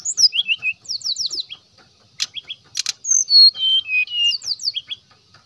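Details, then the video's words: Brisk song of a brown-chested jungle flycatcher meant to call other flycatchers: cascades of descending high whistles, a couple of sharp clicks, then level whistled notes stepping lower. "SRDC GACOR SRDC NYULING SRDC NGGEPLONG ,SIKATAN"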